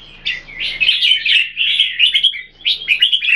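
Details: Red-whiskered Bulbul song from caged Singapore-kept birds in a head-to-head comparison: quick, lively warbled phrases of clear slurred whistles and chirps, delivered in rapid bursts with a short dip before a final flurry.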